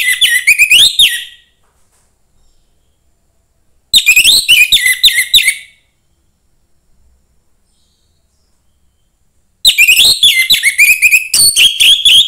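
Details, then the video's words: Young forest orange-headed thrush used to provoke other thrushes into singing; three long bursts of rapid, varied whistles and trills, each around one to two seconds, with pauses of a few seconds between them. "suara anis merah MUDA HUTAN meningkatkan felling anis merah lain"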